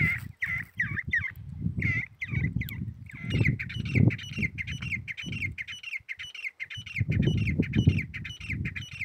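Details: A grey partridge calls in a long run of grating, scratchy notes. The notes start spaced and then quicken into a steady series, with low rumbling noise underneath throughout.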